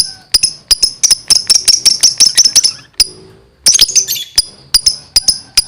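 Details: A gacor lovebird chatters in fast, high, piercing chirps, pausing briefly midway before resuming with a louder, denser run of squeaky notes.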